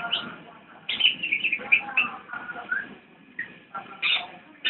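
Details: Javan white-eye singing in the nyinden style: short, bright chirps and twittering notes in loose clusters, with brief pauses between bursts.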